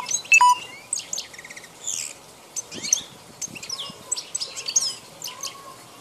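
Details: European goldfinch, wild bird of the form named Carduelis balkania, recorded in 2010. Lively, high twittering song of quick chirps, short trills and rolling notes, plus a few brief electronic beeps.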